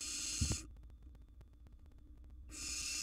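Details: Barn owl young in a wild nest box, rivalling a sibling for food: a hissing screech cut off after half a second, almost two seconds of low hum with a single knock, then the hiss resumes.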